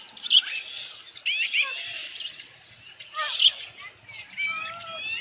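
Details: Osprey at its nest with a large headless fish, July 2018 evening: high whistled chirps in two bursts, each including downward-sliding squeals, with quieter thin whistles between them.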